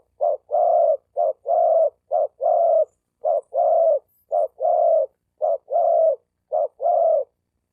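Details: Calling to attract females, a male spotted dove gives a steady series of paired coos, a short note followed by a longer, even one, repeated about every second, six pairs in all. Quiet background.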